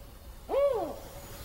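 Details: Spotted owl (Strix occidentalis) in the Oregon Coast Range, called in during a survey as if to a territorial intruder, gives a single low, hollow hoot rising then falling, one note of its common four-note call, over faint hiss.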